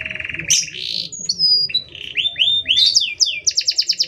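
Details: Long canary song with short gaps, meant as a master recording or to provoke other canaries: a low rattle, then sweeping whistled notes and rising slurred syllables, finishing in quick repeated chips.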